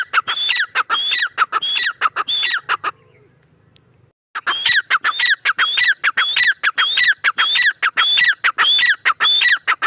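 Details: A male grey francolin gives rhythmic, repeated phrases of high whistles and descending notes. A quiet gap of about a second and a half with low hum interrupts, then the loud calling resumes steadily.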